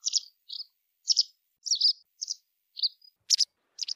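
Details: White wagtail giving a series of short, high chirps, about eight separate notes spread unevenly over four seconds, some doubled or slurred, against a quiet background.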